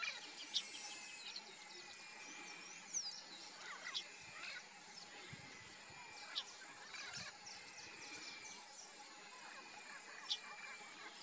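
White-browed meadowlark singing short, sharp chirps and buzzy sweeping notes every few seconds, over a steady high insect drone and other distant birds.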